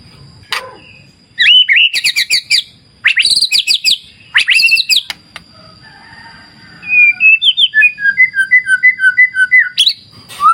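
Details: White-rumped shama in wild nature beside a clear river. Bursts of sharp, stuttering, repeated notes alternate with pauses, ending in a long, even series of about twenty short, descending whistled notes, over faint low water-like rushing.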